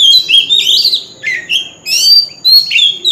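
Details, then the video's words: Oriental magpie-robin singing in its wild forest voice as a lure song for singing contests: loud, varied whistled phrases that slide up and down, delivered in bursts with short pauses between them. "Chòe than hót giọng rừng l Tiếng chim chòe than mồi l Chòe than hót đấu"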